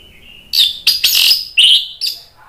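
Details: Orange-headed thrush, agitated, singing a provoking song for other birds: a soft, thin whistle opens, then loud, harsh, buzzy bursts and strong, descending whistled phrases in quick succession.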